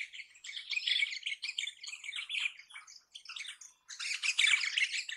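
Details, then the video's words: Crimson rosella (Platycercus elegans) chattering in a dense stream of harsh, high squawks and scratchy notes. The run pauses briefly, then swells louder with a fresh burst of rasping calls. "Crimson Rosella Call. Crimson Rosella Sounds. Crimson Rosella Song. Crimson Rosella Noise."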